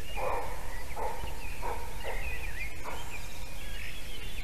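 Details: White-tailed eagle pair at a nest in Durbe, Latvia, 15 May 2021, late morning, calling as they visit the nest, female first then male: a series of short yelping notes about every 0.6 seconds over steady low wind rumble.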